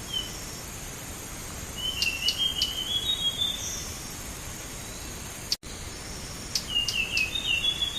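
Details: Lure recording of Blue whistling thrush song for bird trapping: a high, rapid warbling phrase, a brief whistle, then after a sudden cut another quick twittering phrase, with scattered dry clicks and constant background hiss.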